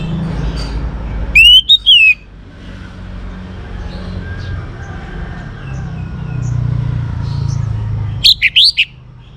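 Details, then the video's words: Young orange-headed thrush in full song, used to coax other birds into singing: two short bursts of bright, slurred whistles, the second more jumbled, separated by several seconds of low background rumble. "ANIS MERAH Muda Gacor Untuk Pemancing Burung Berani Berkicau Ngeplong juga Teler"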